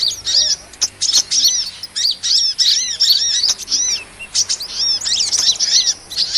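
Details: Sunbird (kolibri) chirps used to lure small birds: rapid sharp tweets and short downslurred whistles repeated in tight groups, with brief gaps between groups.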